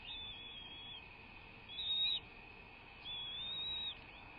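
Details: Bald eagle at its nest on a live camera, early morning 06:39 on 01.03.2024; three drawn-out high whistles, each under a second and gently rising then falling, separated by short pauses, with a steady tonal whine beneath.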